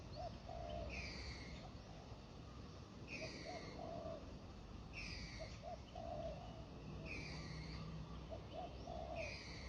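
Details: Spotted dove coming down to the ground, lured in by a decoy. It gives low, soft cooing phrases of a few hooted notes, repeated every two to three seconds, with clear whistled calls of another bird in between over a noisy background.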